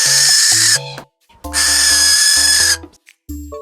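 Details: Barn owl screeching in rasping, breathy bursts, a short one then a longer one of over a second, with a brief silence between and music playing underneath throughout.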